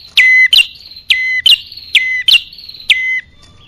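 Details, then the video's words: Bar-winged prinia lure call aimed at males and females: rapid run of loud, shrill paired notes, sharp upward strokes trailing into flat whistles, about seven in three seconds. "Suara pikat burung kecil paling ampuh | Anti Gagal Khusus Prenjak Atas Betina Jantan"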